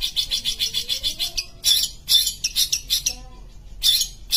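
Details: Sumatran long-tailed shrike (pentet) in full, lively song: a run of rapid harsh scratchy pulses, a pause with a faint low whistle, then more rasping bursts in quick succession.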